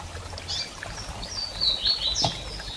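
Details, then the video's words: Female double-collared seedeater in heat, calling while soliciting mating: thin, high whistled notes, some sliding and others level, grow louder toward the end over a low background hum. "Fêmea de Coleiro Piando e Fogosa e Pedindo Gala!!"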